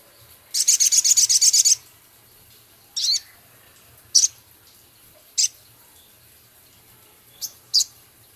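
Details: Active male Javan cochoa with rough rattling chatter and scarlet minivet imitations: a one-second burst of fast, high, pulsed rattling, followed by five short, sharp, high notes spaced irregularly about a second apart.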